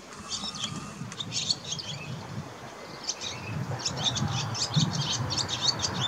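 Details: Singing barn swallow, filmed around mating: fast, thin, chattering twitters in bursts, high and scratchy, over a steady low rumble of outdoor background noise.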